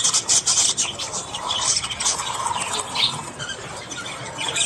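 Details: Budgerigars, also called Australian budgies, chattering in the morning: dense scratchy high chirps and squeaks overlapping continuously, with short warbled notes mixed in.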